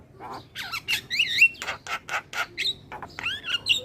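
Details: Javan myna vocalising as a lure for other starlings: loud, harsh, grating squawks repeated about four times a second, mixed with a few clear looping whistles.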